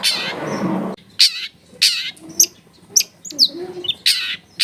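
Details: Long-tailed shrike recorded at home in a densely populated neighbourhood, used as a lure to coax a lazy shrike into singing; a rasping broad burst, then short sharp chirps and scratchy notes at irregular intervals.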